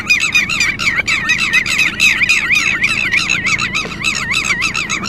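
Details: Red-wattled lapwing, having lost its chick, calling in alarm with a continuous rapid chain of undulating, strident notes about four each second, steady and insistent, low background rumble.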